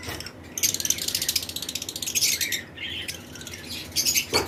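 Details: Breeding-season flight colony of paired lovebirds, mixed mutations, chirping alongside other birds. Fast, buzzy, ratcheting trills come in bursts, with brief quiet gaps between them.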